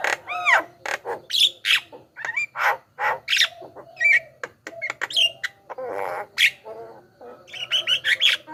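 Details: Javan myna song used as a master-tutor recording and lure to draw wild mynas, including young birds; a varied run of loud whistles, rising and falling slurred notes, harsh squawks and short chirps, with brief pauses between phrases.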